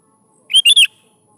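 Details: A single short three-note phrase from a sooty-headed bulbul, sung to coax young bulbuls into answering: a rising first note, then two sharp slurred notes in rapid succession, clean and loud.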